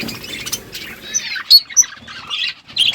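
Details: Budgies in the morning giving scattered, separate sharp chirps and short whistled squeaks, with brief quiet gaps between the bursts.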